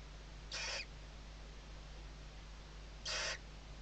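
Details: Western barn owl nest with chicks under their mother's wings, Riet Vell reserve, Ebro Delta, Tarragona, Spain, 2023 season, webcam: two drawn-out, rasping hisses, each about a third of a second, spaced some two and a half seconds apart.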